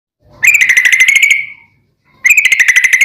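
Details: Yellow-vented bulbul (trucukan) long trilled song, "ropel panjang", used as a lure to make bulbuls answer: two bursts of rapid, harsh chattering notes, each about a second long, separated by a short pause.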